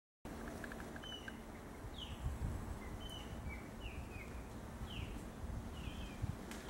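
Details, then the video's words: Small birds in a very quiet setting: thin, high, short downslurred chirps scattered irregularly, some in quick pairs, with soft low rumbling background noise. "Small bird sounds among so much silence!"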